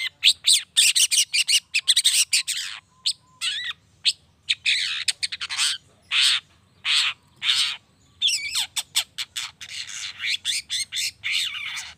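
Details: Long-tailed shrike, or cendet, in an energetic lure song meant to make other shrikes respond at once: dense streams of harsh, buzzy and whistled notes, with a thin sustained tone running beneath for a few seconds.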